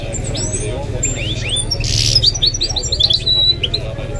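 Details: Goldfinch mule giving rising whistles, a short harsh rasp, then a quick string of repeated chirping notes, while Arabic commentary continues in the background.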